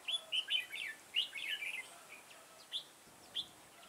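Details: Red-whiskered bulbul used as a decoy for trapping, recorded 9 October 2017: bright whistled, warbling phrases of a few quick notes, repeated in short bursts with brief pauses, fainter single notes toward the end.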